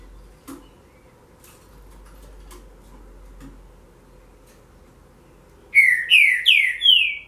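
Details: Trinca-ferro, or green-winged saltator, with a 'relâmpago' style song. Several seconds of faint clicks and knocks come first. Then a rapid burst of four strong whistled notes arrives, each dropping in pitch, near the end.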